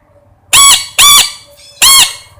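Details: Parrot giving three loud, harsh squawks, each about a quarter second long and rich in overtones, spaced roughly half a second apart in a quiet room.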